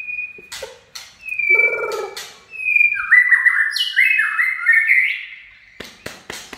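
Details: White-rumped shama giving "chạy cầu" song: long pure whistles, a mellow lower warble, then a fast rising and falling run of rich whistled notes, closing with a few soft clicks.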